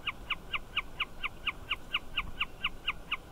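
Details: A Wilson's snipe perched on a fencepost along a country road repeats a clipped, sharp note about four times each second in a steady, unbroken rhythm, over faint low background rumble.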